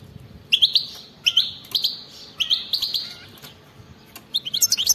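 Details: European goldfinch, wild type, in 'betbeta' singing meant to stir silent goldfinches: short bright chirps repeated roughly every half second, ending in a quick twittering flourish.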